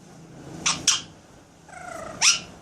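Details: A pet Alexandrine parakeet (Psittacula eupatria) does sound-effect mimicry in a quiet room: two quick harsh bursts, a pause, then a steady mid-pitched tone that swoops upward into a sharp squawk.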